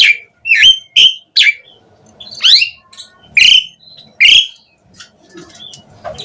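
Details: Asian pied starling singing, used to lure other starlings into responding: scattered loud whistles and harsh rasping notes separated by pauses, with a faint low hum between phrases.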